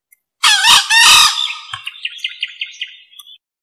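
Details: Male green junglefowl call used as a lure for wild birds: two loud, harsh, hoarse bursts in quick succession, followed by a fading train of about eight short, evenly spaced ticking notes, against a silent background.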